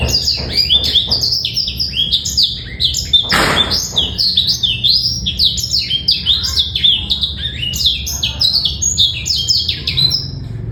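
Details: Training song of a male black-throated canary, clear and free of rattling: a long fast run of bright chirping and slurred notes, with a single brief thump near the middle.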